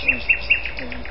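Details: Common nightingale song recorded at Algutsrum, Öland, on 14 June 2010: three loud, sharp, repeated notes about a fifth of a second apart, then softer fading notes, over low rumbling background noise.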